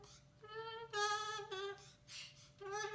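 A cockatoo sings a tune in short, sustained, voice-like notes, held steady then gliding slightly, in three or four phrases separated by brief pauses indoors.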